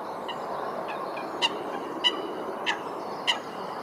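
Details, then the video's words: Eurasian coots in a fight at Wilgenbos, Almere, in the Netherlands; a few piercing, clipped calls spaced about half a second apart, with softer notes between them and a steady hum behind. "Meerkoeten gevecht."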